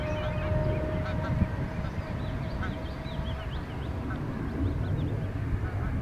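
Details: A large group of Canada goose goslings, young fluffy hatchlings feeding and resting close by. Scattered high, whistled peeps, many slurred downward, chatter across the clip over a low rumbling background hum.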